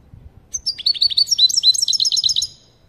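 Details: Goldfinch calling "pat pat" to stir up another goldfinch: a fast, continuous run of bright, high twittering notes, each a quick down-slurred chip, rattled off for about two seconds before stopping.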